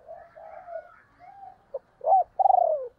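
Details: Female spotted dove used as a decoy to stir up wild doves, giving soft low coos followed by a sharp rising note and a loud, throbbing, falling coo near the end. Quiet background.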